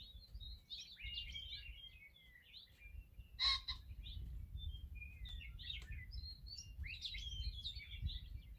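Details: Meadowlarks in the morning sing busy runs of bright, slurred whistles and gurgling notes, some phrases dropping in pitch, over a steady low rumble of wind or distant traffic.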